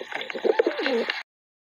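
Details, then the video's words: Pigeon cooing: a soft, low, wavering coo that dips and rises, heard against a busy background of clicks and rustling noise, then silence. "Beautiful Pigeon Voice Sound Effects"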